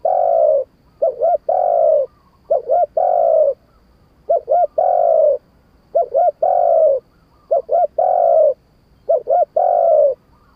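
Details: Spotted dove cooing in the wild-voice style, called kharom pa: five repeated phrases, each a quick double coo followed by a long, mellow, rolling coo, roughly every two seconds, with silence between.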